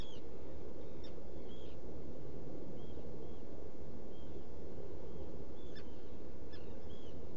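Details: At a nesting burrow on Seal Island NWR, Maine, a black guillemot gives a series of short, high, arched whistles, some with sharp clicks. A burrow camera recorded it early on the morning of 14 June 2018, over steady low rumbling noise.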